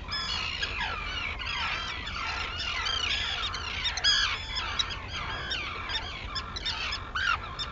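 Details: Arctic terns calling at sunrise on Seal Island off Maine, 11 June 2018: a thick, unbroken wall of grating, downward-bending cries from many birds, some louder and nearer, over low background noise.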